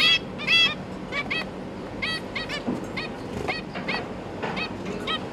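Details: Zebra finch family, a pair with three juveniles and three newly fledged babies being fed, 5 November 2022: short, nasal, toy-trumpet calls overlapping about two per second over a soft hum.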